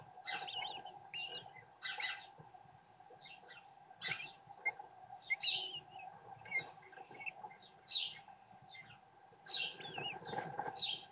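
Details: Webcam recording of a male American kestrel feeding his young: a busy run of scratchy, high rasping cries, many overlapping bursts with short gaps, above a constant low hum.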